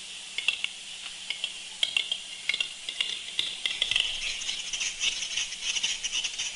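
A Western capercaillie gives a run of dry, irregular clicks that speed up, then breaks into a harsh, hissing scrape.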